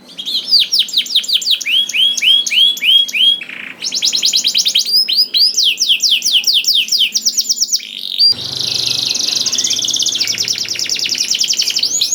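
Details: Canary singing, intended to make other canaries answer in song: repeated swooping whistled notes and quick trills, a short pause, then a continuous rattling high trill over a faint low hum.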